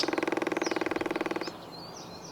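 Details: A Northern Flicker gives territorial drumming, used to announce territory and attract a mate: a fast, even roll of about two dozen beats in a second and a half, ringing and resonant, followed by faint chirps of other birds.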